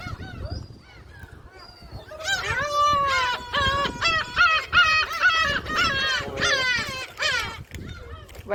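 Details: Gulls at Jebudo island, South Korea, being fed by people: after a quiet start, a loud run of harsh, nasal, downslurred cries comes fast and uneven, several birds overlapping, with faint human voices beneath.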